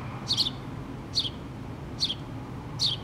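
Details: House sparrow family, mother plus two babies, in a pole nest, 8-3-2017. Four sharp high chirps, the first doubled, spaced under a second apart over low background noise.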